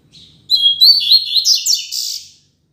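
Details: {'caption': 'Double-collared seedeater singing the classic Tui Tui Zel Zel song style, used for tutoring young birds: one rapid phrase of bright whistled and buzzy notes that start as clear tones and break into trilled, slurred elements, lasting about two seconds.'}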